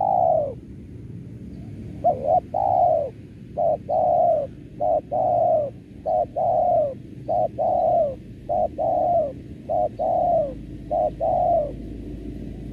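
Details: Spotted dove call used as a lure for trapping: low, hollow coos in short, quick groups, roughly a dozen notes over ten seconds, over a faint background hum.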